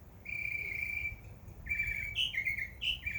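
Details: Summer backyard birdsong: a long steady whistled note, then a quicker run of short chirps alternating between two pitches, the upper ones sharper and brighter.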